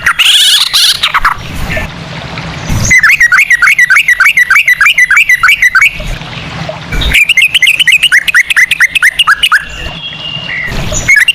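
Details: Yellow-vented bulbul lure song, a 'ropel' with Straw-headed Bulbul-style phrasing: noisy opening, then two fast runs of bright, repeated chirps and a closing thin whistle.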